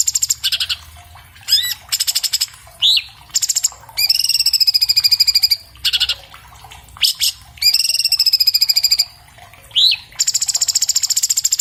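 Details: Recorded on an iPhone 7 Plus for use as a fast, clear master song, an orange-bellied leafbird (Chloropsis hardwickii) mixes rapid trills and upswept whistles with two long, level, high trilled phrases.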